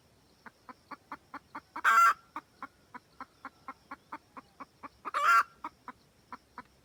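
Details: Wild red junglefowl hen cackling to call a rooster: a steady train of short clucks about four per second, with two loud rasping squawks set roughly three seconds apart among them. Nothing else audible.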